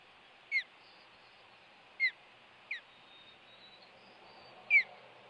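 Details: Osprey at the Hellgate nest on 26 April 2018 as an intruder threatens, the male arriving with a fish: four separate high, downslurred whistles spaced over several seconds above steady low hiss.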